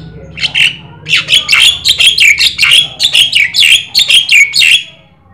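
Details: Black-winged starling singing energetically, used to prompt other birds to sing: loud, harsh chattering notes in quick bursts of about three per second, kept up almost without pause, over a quiet background.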